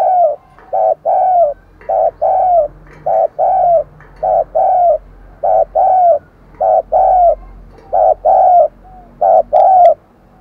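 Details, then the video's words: Decoy spotted dove cooing in the morning to draw wild doves, a steady run of low, mellow coos in paired notes, about ten pairs in quick succession, with a faint low background hum. "Chim Cu Mồi Gáy Gọi Bổi Vào Buổi Sáng"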